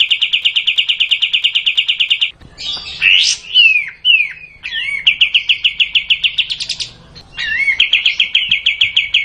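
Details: Long burst of kapas tembak bulbul song, fast repeated sharp chips broken midway by varied slurred, swooping whistles before the quick chipping series resumes twice.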